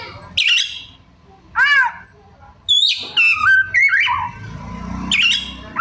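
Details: Kacer, or white-rumped shama, in mimicking song: short raspy calls, an arched nasal note and descending whistled slurs, with low background hum.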